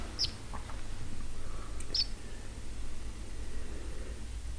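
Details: Captive pet house sparrow uttering two brief high chirps about two seconds apart against a constant low hum and quiet room noise.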